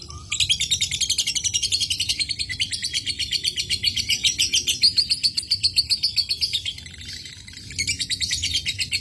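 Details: Ngekek song of a lovebird, used to draw other lovebirds into singing: rapid, high, rattling chatter of sharp pulses that sags briefly near the end, then picks up again.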